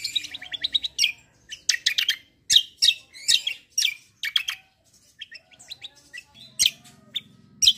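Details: Black-winged myna in vigorous fighting-style rolling song: dense, fast clusters of sharp, high chirps and trills, with brief pauses and a low hum in the background.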